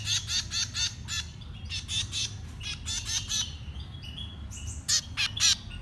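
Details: Young birds being fed give rapid, raspy begging notes, several per second in uneven bursts, then a pause and a few louder screechy squawks at the end.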